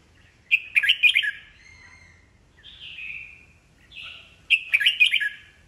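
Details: Old wild-caught red-whiskered bulbul singing to stir rival birds to compete; two rapid chattering warbled phrases about four seconds apart, with softer slurred whistles between them.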